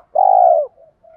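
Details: Spotted dove, male or female, cooing to stimulate cooing: a single long, steady, mellow low coo lasting about half a second, followed by faint softer notes from another dove.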